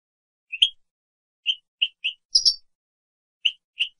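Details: European goldfinch on a 2017 training recording for captive birds, giving separate short high chirps spaced irregularly, with one doubled, buzzier note in the middle. No other sounds are present.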